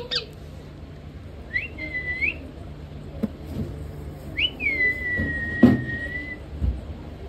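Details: Talking rose-ringed parakeet from India producing two whistled phrases: a short rising-then-level whistle, then a longer whistle that rises and slowly falls, over background clatter and thumps.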